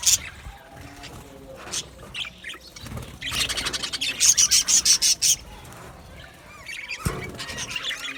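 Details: Budgerigars in an aviary, scattered chirps then a run of about eight quick sharp repeated chirps, followed by softer chatter and a brief flutter-like noise.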